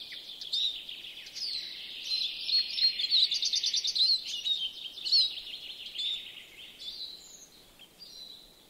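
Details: European greenfinch song from a yard in Joroinen, Finland: high chirps lead into a long, even trill of rapidly repeated notes, followed by more twittering phrases and a few separate tweets over steady hiss.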